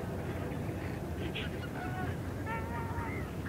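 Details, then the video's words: A small group of greater white-fronted geese, close by and calling in flight, give high, yelping, slightly laughing calls that overlap in short bursts over a steady low rumble of wind. "White-Fronted Goose. MCU Small Group Of Geese Calling In Flight."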